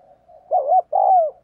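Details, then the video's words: Single paired coo from a decoy spotted dove calling to provoke wild doves: a soft lead-in, then a wavering hollow note and a longer smooth falling note. "Chim Cu Mồi Gù Thúc Bổi Nghe Hăng Nên Và Rất Siêng Gáy"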